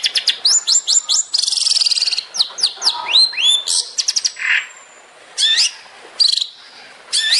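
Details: Long-tailed shrike training song in 'tembakan' style: rapid series of sharp high downslurred notes and hooked whistles, a harsh buzzy rattle, a long thin whistle, then separate short chattering bursts spaced by brief silences.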